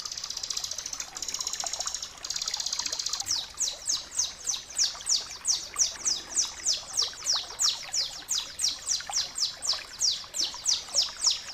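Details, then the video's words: Bar-winged prinia (ciblek kristal) song, a master recording for training cage birds: a high, buzzy trill at first, then a fast run of sharp, high downslurred notes, about three a second. "masteran suara ciblek kristal gacor jernih"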